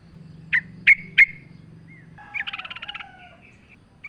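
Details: Yellow-vented bulbul in vigorous song as a lure recording with nature sounds: three loud, sharp chirps near the start, then a softer rapid chattering series and a faint lower whistle, over low background hum.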